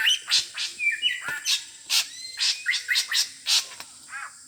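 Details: Wild drongo (srigunting) in Sumatra, an adult described as especially fierce, giving a varied series of sharp whistled notes and short downslurred chirps, roughly a dozen bursts in quick irregular succession, with a faint steady hiss behind.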